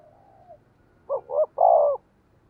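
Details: Spotted dove decoy bird coos to attract wild doves: a faint low note, then a stuttered double coo and a long purring coo over steady low background noise.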